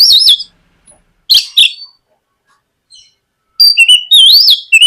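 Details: White-rumped shama in full song, used as a morning lure to coax a young bird into singing: rich whistled phrases and sharp chips in bursts separated by near-silent gaps, ending with looping, warbling whistles.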